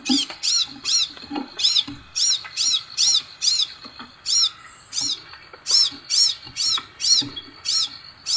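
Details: High, ringing arched chips from a Crimson sunbird, from a recording played to set other birds calling. They are repeated briskly, roughly two per second, in an uneven but steady run, with a quiet background.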